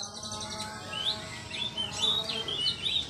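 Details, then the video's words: Kacer, or Oriental magpie-robin, singing in the "ngeplong" style, recorded on an Android phone for training young birds: a run of quick chirped and slurred whistles over a steady background hum and hiss. "suara Kacer ngeplog Ngotot santai"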